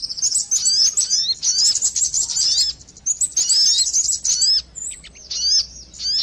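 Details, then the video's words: Sogon bird calls used as a lure for catching birds: bursts of high, thin chirps and quick down-slurred whistles, delivered in dense chattering runs broken by short pauses. "suara pikat burung sogon"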